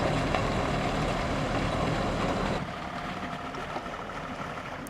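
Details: Dense rushing hiss of water or motor noise that drops in loudness halfway through, with no animal sounds.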